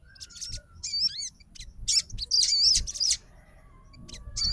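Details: Sogon fighter, said to call out rivals, replying to another sogon: high squeaky chirps and wavering twittered phrases in bursts, with a faint thin whistle between them.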